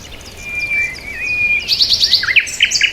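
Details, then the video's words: Long thin whistled note from a bird, wavering and sliding, followed by a jumble of rapid high chirps and trills from more than one bird. "bird chirping sound"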